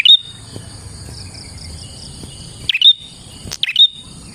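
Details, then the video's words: Prinia song for luring prinias: a whistled note, a pause, then two quick chirp-whistle phrases close together, over a steady high insect drone. "KICAU BURUNG PRENJAK GACOR ini Manjur untuk PIKAT PRENJAK dan PANCINGAN PRENJAK KLAWU"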